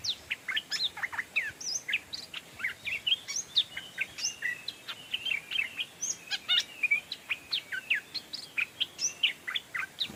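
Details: Stripe-throated Bulbul used as a decoy to call wild birds in, giving a dense stream of sharp chirps and twisting whistled notes, several per second with little pause, possibly with more than one bird answering.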